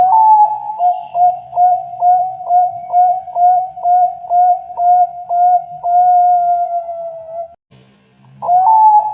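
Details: Zebra dove singing a long run of clipped, evenly pulsed cooing notes at roughly two per second. They flow into a smooth sustained tone, a brief pause with faint low murmurs, and a fresh rising phrase.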